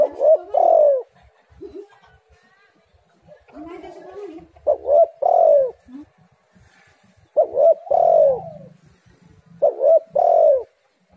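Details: Spotted dove lure recording to get doves singing. Loud coo phrases repeat every two to three seconds, each stuttered notes then a long falling coo, over quieter background doves.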